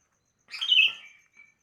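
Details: Sooty-headed bulbul morning song: one warbled, gurgling phrase dropping slightly in pitch, followed by a faint short note after a brief gap; background quiet.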